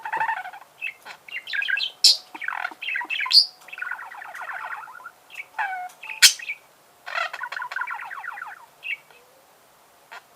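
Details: Chattering budgerigar warble: dense buzzy phrases, clicks and sharp high squeaks tumbling together, with longer rasping runs between short gaps and a faint steady tone underneath.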